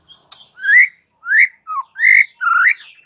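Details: White-rumped shama heard in the context of provoking rival males: rich, slurred whistles rising and falling, five phrases in about three seconds.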